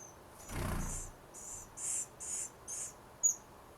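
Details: Eleven-day-old wild Western Flycatcher nestlings in the Pacific Northwest give five high, hissy rasps, about two every second, after a soft low thump at the start.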